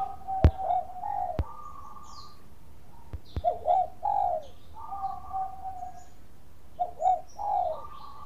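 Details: Bangkok-type zebra dove singing as a lure to provoke other doves: mellow low coos and stuttering rolled notes in short phrases roughly every three seconds, with a few sharp clicks and a faint higher chirp.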